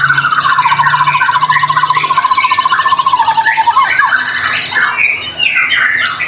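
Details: Prolific 'gacor' song of a white-rumped shama used to provoke other shamas into song; a long, even pulsed trill holding low, then dropping, followed by quick varied whistles and rising slurred notes.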